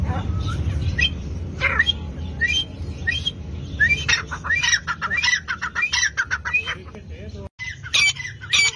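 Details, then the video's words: Partridge (dhakni tetar) giving scattered harsh notes that build into a fast, dense burst of rasping, clipped calls in the middle, over low rumbling background noise. "dhakni tetar ki awaz"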